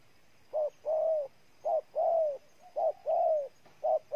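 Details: Spotted dove in Ninh Thuận, Vietnam, giving regular two-part coos. A short soft note leads into a longer, gently falling coo, repeated about four times in quick succession.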